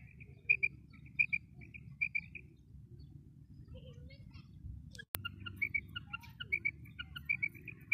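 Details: Female common quail: soft, high paired notes repeated in short clusters roughly every three-quarters of a second, with a brief click partway through and low background hum.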